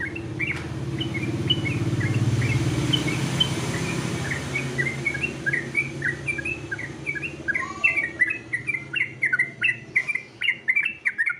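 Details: Sooty-headed bulbul competition song: short whistled phrases that grow louder and faster toward the end, over a steady low rumble.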